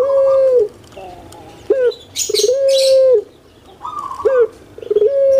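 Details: Kept puter pelung dove, a type of collared dove prized in Indonesia and especially Java, gives short level coos with harmonics, each under a second, separated by brief rolling notes, with faint chirps from other birds.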